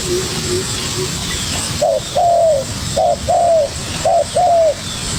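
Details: Young spotted dove responding to a decoy bird. After a quieter lead-in, three close pairs of low coos ring out, each a short note and then a longer falling one, about a second apart.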